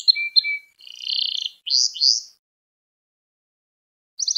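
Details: Canary song used to train young canaries: short chirps and a thin level whistle, a buzzy rolling phrase, two bright upswept notes, a long silence, then a quick high trill begins.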